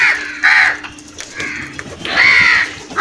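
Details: Crows calling while attacking food: loud harsh caws around two seconds into the recording, with shorter rough calls before it and a steady hum underneath.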